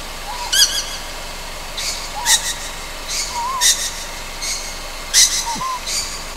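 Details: Juvenile Ryukyu scops owl calling at night on Amami Oshima: harsh, hissing screech bursts roughly every 1.5 seconds, each with a short raspy tail, over faint wavering whistled notes and a steady background hiss.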